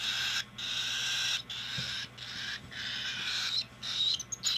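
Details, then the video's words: Hand-fed cockatiel giving continuous raspy begging calls, long hoarse bursts broken by brief pauses, rising in intensity toward the end, with a faint constant hum underneath. "Cockatiell Hand feeding"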